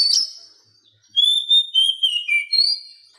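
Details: Training song of an Oriental magpie-robin for silent caged birds: a high harsh note fading out, a pause, then a sequence of clear sustained whistles stepping down in pitch before a final rising whistle.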